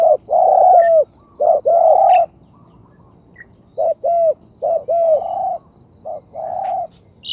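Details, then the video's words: Spotted dove giving grouped coos: short soft notes followed by longer rolling hoots with downward-curving endings, then a pause before another burst of two to four notes, with a quiet rural background. "The Sound Of Spotted Dove is good"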